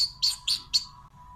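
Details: Pet Alexandrine parakeet giving three short, harsh, high squawks spaced about a quarter second apart over a faint steady background hum.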